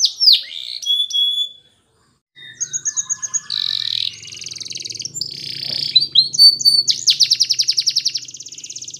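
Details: Training song of a Belgian canary for young birds: a few sharp descending notes, a short pause, then rolling trills, buzzy bursts and a long fast repeated chatter rising in intensity toward the end.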